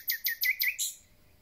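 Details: A common nightingale, newly arrived in spring, sings a phrase of four rapid, rich, slightly rising notes, then a brighter, buzzier closing note; no other sounds.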